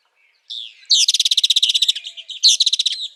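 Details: Northern parula song in spring, loud and close: a short buzzy lead-in, then a rapid, even trill of about sixteen high buzzy notes in one second, followed by a shorter buzzy burst, with near silence around it.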